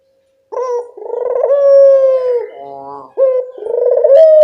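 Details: A single full coo phrase from a local collared dove lure: an abrupt start after half a second of quiet, a long steady tone, a lower burring tail, then the next coo beginning.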